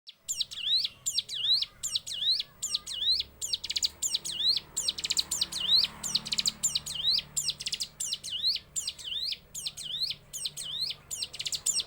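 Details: Hill prinia singing in its 'sewing machine' style: a rapid, unbroken string of sharp, high, hooked notes that dip then rise, about two or three per second, machine-like and relentless, over a faint low hum.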